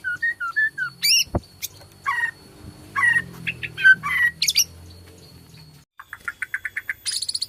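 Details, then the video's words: Borneo white-rumped shama in full song, used to stimulate other shamas to sing: short whistled phrases, a sharp click, then harsh chattering notes and a fast run of high repeated chips near the end. "PANCINGAN BORNEO GACOR SANGAT AMPUH UNTUK MERANGSANG BUNYI MURAI BATU LAIN"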